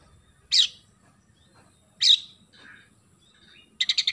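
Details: Oriental magpie-robin in full song with sparrow-style isian gereja phrases: two loud rasping high notes about a second and a half apart, a softer mutter, then a rapid burst of clipped sparrow-like chirps.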